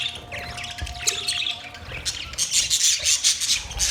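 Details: Budgerigar chirps and chatter, rapid scratchy notes building to a dense, busy warble in the second half over a low background hum.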